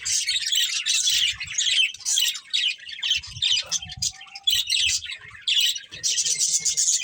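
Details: Budgerigars, a breeding pair, keep up busy chirping and warbling chatter, rapid scratchy bursts nearly continuous over seven seconds, with one short thin whistle midway and soft low knocks.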